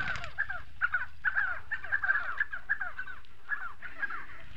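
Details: Spotted sandgrouse, South Morocco, calling in short, clipped, throaty notes that drop in pitch, grouped in quick clusters separated by brief pauses, over faint low hum.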